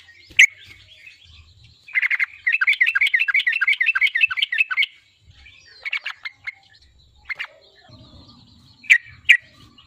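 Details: Sooty-headed bulbul song meant to pressure a rival and draw it into singing: a single sharp chip, then a rapid chattering trill of about three seconds, followed by scattered short notes and chips.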